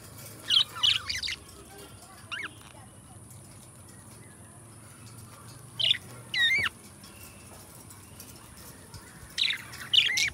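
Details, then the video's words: Pet budgies give bursts of bright chirps with swooping, rising and falling whistled notes, clustered in three groups spaced a few seconds apart over quiet background hiss. "Budgies Song -birds sounds - Singing and Talking"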